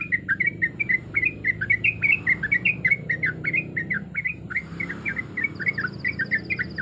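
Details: Female sooty-headed bulbul in breeding condition calling males, a continuous chatter of quick slurred whistles bouncing up and down; a thin high electronic whine joins partway through, with low background rumble.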